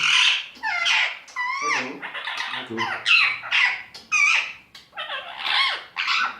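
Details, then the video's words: An Indian talking parrot gives loud, rapid, speech-like chatter indoors. Strident syllables bend up and down in pitch and come in bursts with brief gaps between them. "Best Indian talking parrot"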